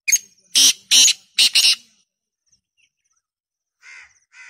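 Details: A black francolin gives its harsh rasping call of five scratchy notes in quick succession, the last two nearly joined, then after a pause two fainter, softer notes follow.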